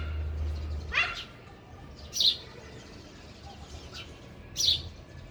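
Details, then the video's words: Sparrow at a feeder, three separate high, slightly rasping chirps spaced a couple of seconds apart, against faint background hum. "sparrow sound effect | ચકલી ઘર | chaklino avaj | sparrow eating"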